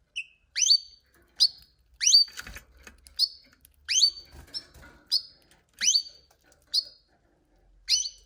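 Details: Canary calling loudly and steadily, with about a dozen sharp, upswept high chirps roughly every half second to second, and occasional soft clicks or taps between them.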